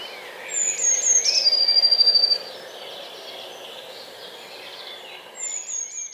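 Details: Eurasian blue tit (Cyanistes caeruleus) singing in a garden in Hampshire, UK, 2020: high, thin notes falling into a quick, clear trill of about two seconds, then a brief thin phrase, over a faint hum.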